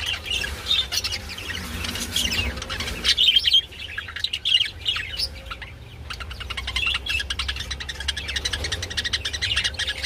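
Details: Budgerigars mating, warbling busily with squeaky chirps and a few clear rising whistles early on, then a softer stretch and renewed fast, ticking chatter to the end.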